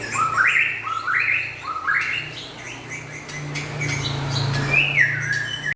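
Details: Lively song of the White-rumped shama, local and forest birds: three rising, stepped whistled phrases in quick succession, then a bright descending slur. A steady low hum runs underneath.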